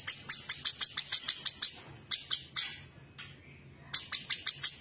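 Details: Female brown-throated sunbird in lively song, with sparrow-like material: rapid runs of thin, high chirps at about three per second. One brief pause breaks the runs before they resume.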